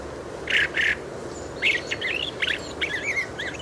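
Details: Fieldfare subsong, a soft muttering also heard in autumn and sunny winter weather: two rough squawky notes, then a rambling series of twittery, warbled chirps, over faint steady background noise.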